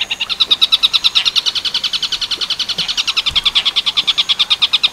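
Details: Long-tailed shrike singing in the 'tengkek buto werkudoro' style, recorded as a training track for other songbirds, with ten-second pauses. A rapid, steady chatter of sharp, high notes runs about seven per second through the whole stretch, with no other sounds.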